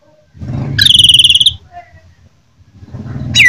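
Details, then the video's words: Greater green leafbird from Jember in a fighting bout, giving a strong ringing phrase of rapid, pulsed high notes lasting under a second, then a sharp rising whistle near the end, over low murmuring background noise. "Cucak ijo jember tarung dengan ciri khas nya"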